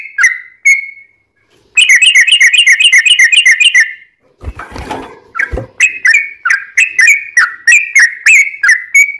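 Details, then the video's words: Yellow-vented bulbul lure song with a long rattling trill: a few whistles, then a quick, evenly pulsed trill, a brief noisy burst, and a run of loud repeated whistled phrases. "trucukan gacor ROPEL PANJANG buat pancingan trucukan agar bunyi"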